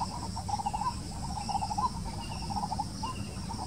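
White-breasted waterhen giving a fast run of hoarse, croaking notes in uneven bursts, roughly one a second, over a steady low rumble of background noise.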